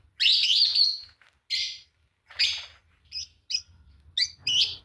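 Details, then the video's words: Shrill chattering from a green Fischer's lovebird pair: a long rasping burst followed by shorter screechy notes and a string of quick high chips toward the end. "Lovebird singing and chirping sound, green fischer pair"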